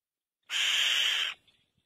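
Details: Black-winged kite uttering a single rough, hoarse screech under a second long, flat and hissing throughout, ending sharply in silence.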